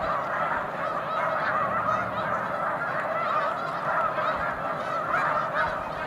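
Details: From a big flock of snow geese on Cayuga Lake one March 2021 afternoon, clear barking honks ring out one after another, overlapping, over a steady crowd of further goose voices.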